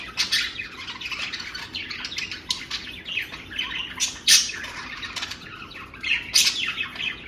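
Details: Budgerigar pair, a new male and a young female, courting with somersaults and rolling over: busy stream of squawks, chirps and scratchy warbles.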